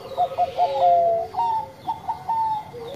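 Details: Zebra dove of the Bangkok type singing with a melodious voice: a stuttering run of short notes that flows into long, steady, mellow coos, while a second, lower voice overlaps beneath.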